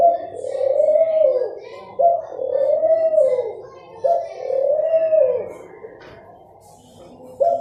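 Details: Dove cooing: drawn-out, low, hollow notes, each lasting about a second and a half, repeated roughly every two seconds, with faint human voices in a small indoor space.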